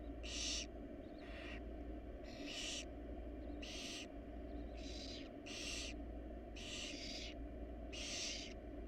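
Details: Roughly nine rasping, snore-like hisses from a wild barn owl family in a nest box, repeated about once a second at uneven spacing, above a low constant hum.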